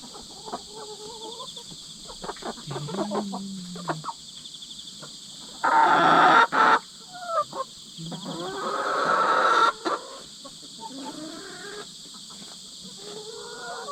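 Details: Hen sisters, two years apart in age and newly combined, fight to settle rank, the older one winning. Harsh, raspy squawking bursts erupt twice amid scattered clucks and rustling, over a continuous high insect chorus.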